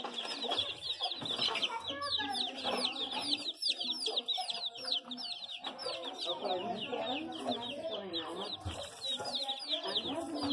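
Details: Domestic chicken chicks calling together, a near-continuous chorus of sharp, falling cheeps, with lower clucks and indistinct background noise throughout.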